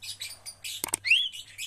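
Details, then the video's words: Javan myna being trained so it quickly starts singing vigorously: harsh, scratchy high chirps in quick bursts, then a rising whistled slur and more grating notes, with a low steady hum behind. "melatih jalak kebo agar cepat gacor"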